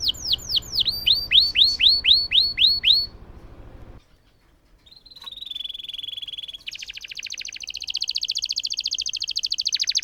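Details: Canary singing a long roll as a prompt for silent canaries: rhythmic falling whistles, a brief quiet gap, a thin drawn-out whistle, then a rapid continuous buzzy trill.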